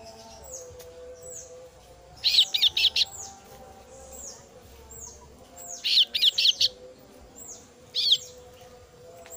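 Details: A female Kasu-kasu chick calling for its parent gives loud bursts of three or four quick, harsh high notes every few seconds, between faint thin down-slurred whistles over a steady low hum.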